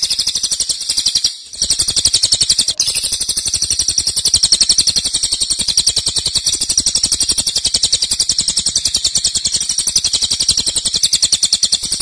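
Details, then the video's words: A cililin in long-duration 'nembak' song: a fast, high, rattling trill that cuts out briefly near the start, then resumes as an even stream of rapid pulses to the end. "Cililin nembak keras dan Rafat durasi fanjang"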